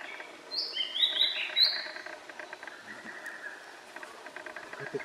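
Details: A male blue-and-white flycatcher sings along the Morito River, Kanagawa, Japan, in June 2021: a quick run of high whistled notes stepping up and down, then fading, with dense soft chirps and ticks in the background.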